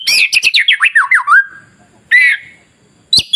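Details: White-rumped shama song used to provoke other shamas into singing: a fast descending series of bright whistled notes, a pause, then a short buzzy warble and a sharp final note.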